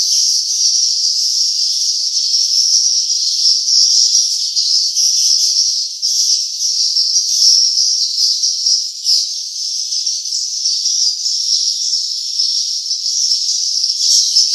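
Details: Nest-attracting swiftlet sound: a long stream of rapid high-pitched chirps and twitters, steady and dense, with brief dips in loudness around the middle, and no other sounds.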